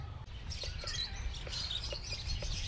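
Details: Lovebirds at the Chandigarh bird park, India, chirp in a busy flock: shrill, high, overlapping notes several times a second over a low background rumble; African lovebird.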